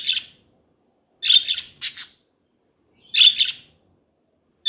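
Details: Budgies giving scratchy chirps, singly and in quick pairs, spaced by silences of one to two seconds.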